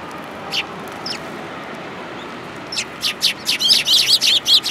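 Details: Eurasian tree sparrows gathering to be fed at a Tenmangu shrine, 19 January 2022: a few isolated high chirps, then a quickening run of about ten loud, buzzy chirps in rapid succession.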